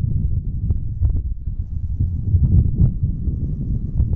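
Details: No animal sound: gusty wind rumbles low against the microphone throughout, with a few soft thumps and knocks.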